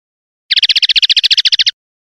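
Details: Common linnet clean-style song fragment for silvestrismo: one short, even trill of about fifteen quick buzzy notes lasting just over a second, set against silence.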